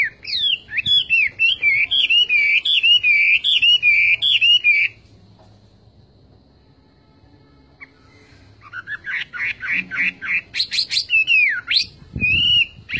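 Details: Chinese hwamei in full song: a fluid, undulating whistled phrase, a few seconds of near silence, then a new string of rising notes ending in a clear looping whistle.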